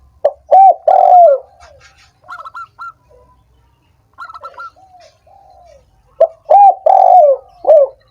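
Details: Spotted dove call for prompting lazy doves to sing: low hollow coo phrases at the start and end, with quieter rapid higher chirps and short soft coos in the middle.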